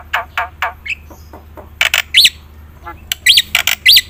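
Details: Black-winged myna used as a lure for birds that will not sing: a few rough rasping notes, then loud harsh squawks mixed with sharp up-and-down whistled notes in quick pairs.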